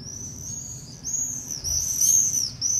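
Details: Common swifts screaming over a street in Beek Ubbergen, the Netherlands, on 22 July 2012, two nesting pairs in screaming parties; high shrill buzzy screams, overlapping and sustained, rising in intensity toward the end.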